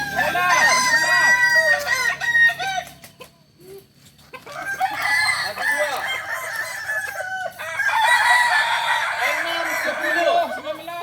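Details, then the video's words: Kukuak balenggek (kokok balenggek) roosters at a joint training gathering in Solok; several birds crow at once in long, stepped, wavering phrases that overlap, with a brief lull near four seconds before the chorus resumes. "latberan ayam kukuak balenggek di solok"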